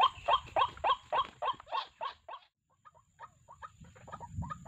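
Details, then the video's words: White-breasted waterhen, recorded at a bird trap, giving harsh, croaking notes about three a second, loud at first and then fading to a quieter run, over faint low rumbling. "BURUNG RUAK RUAK"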